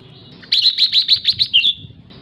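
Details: Female red-whiskered bulbul giving a call to excite males, a rapid run of about ten sharp, bright chirps ending in a downslurred note, with low background noise.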